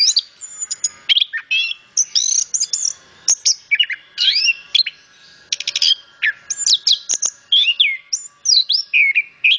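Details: Orange-headed thrush (anis kembang) singing very actively: a fast, varied run of high, sweet whistled and twisting phrases with short buzzy bursts, each note brief and separated by tiny pauses, with no other sounds.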